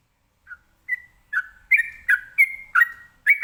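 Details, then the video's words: Trucukan, the sooty-headed bulbul, sings ropelan style to draw replies from other birds; soft opening notes build into a brisk run of loud whistled slurs, each dipping then holding steady, coming faster toward the end. "ini suara Trucukan ropelan bikin nyaut burung lainya"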